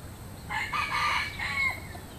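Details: Cock crowing, a little distant: broken harsh syllables swell into one long held note that slides downward to finish, with low background hum.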